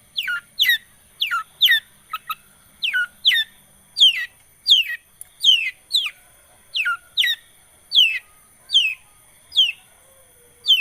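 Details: Long-tailed shrike lure recording to start a silent bird singing: a long steady series of paired, sharply falling squeaky notes, repeated about every half second over eleven seconds.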